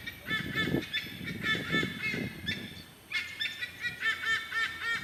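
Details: Raucous calling of white-bellied sea eagles in a nature park in Singapore; nasal, honking notes repeated rapidly in overlapping series, with some low rumbling noise early on.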